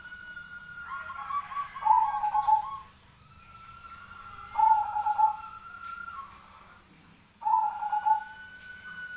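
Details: Zebra dove giving its fighting call for a bird-training recording: three trilled, stuttering coo phrases about two and a half seconds apart, each led in by a long, steady whistled note. A low hum continues throughout.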